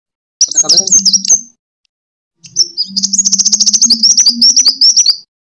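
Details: Sunbird fighting song, kolibri tarung style, meant to lure and tutor birds: two bursts of very high, rapid ticking twitters, the second long and insistent with a faster pulse, separated by a brief silence.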